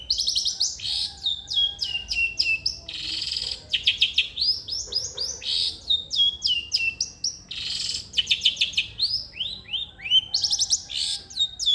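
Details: Long-tailed shrike song for prompting a lazy shrike to sing: a varied, busy medley of sharp descending whistles, quick trilled bursts and harsh raspy chatter, delivered continuously.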